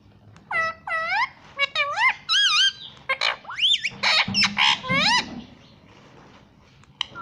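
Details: Indian ringneck parrot kept as a talking pet, saying words like "Mummy" and "Papa", produces a rapid run of warbling, wavering, voice-like syllables for about five seconds, then falls quiet.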